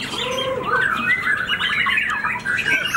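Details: Recently moulted white-rumped shama, a white-tailed caged contest bird, pouring out rapid slurred whistles and harsh chattering notes, a lower descending whistle near the start, with other birds faintly audible.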